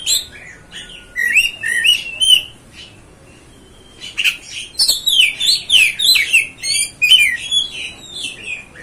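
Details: Oriental magpie-robin song for provoking kacer: a thin whistle and scratchy notes, rich slurred whistled phrases, a short quiet spell, then a dense flowing run of warbled whistles and high chirps.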